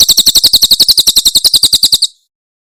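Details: Javan prinia (Tembakan Cililin) used as tutor song for cage birds: some twenty bright, sharp, high notes repeated in steady quick succession over two seconds, ending cleanly.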